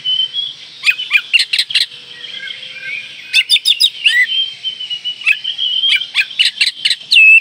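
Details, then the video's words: Singing Oriental magpie-robin in breeding condition, provoking rivals: clusters of sharp clicks alternate with sweet whistled notes and drawn-out tones, delivered in quick bursts. "Kacer Gacor Full Isian Mewah Merangsang Birahi Agar Tetap Gacor Ngobra Dan Lawan Jadi Emosi"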